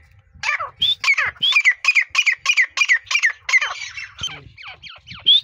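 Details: Grey partridge (teetar) calling in the breeding season, a fast, steady series of loud, harsh, ringing notes repeated about three times a second, some with a bright rising whistle, trailing into scattered scratchy notes.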